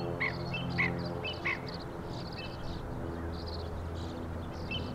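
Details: Killdeer recorded on 26 May 2012 with a Panasonic GH2 camera: three clear, sharp calls spaced about half a second apart, then fainter scattered notes from other birds over a steady low hum.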